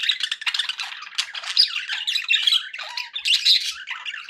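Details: Cheerful pet budgerigar chatter, a tumbling mix of raspy squawks and bright whistled chirps, including a short clear rising whistle, continuous throughout.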